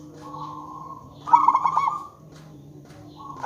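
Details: Zebra dove of local stock, kept as a lure to set other zebra doves calling: a soft held tone, then a loud burst of quick rippling coos, and a new phrase starting at the end.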